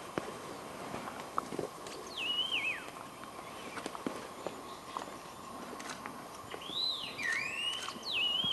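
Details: At Eaglenest in Arunachal Pradesh, India, a Scaly laughingthrush gives a falling, wavering whistle, then after a pause a quick run of two or three further slurred whistles near the end, with light tapping sounds throughout.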